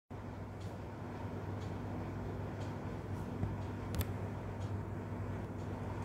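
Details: A steady low electrical hum runs throughout, with a few faint clicks and one sharp tap; no animal voice is heard.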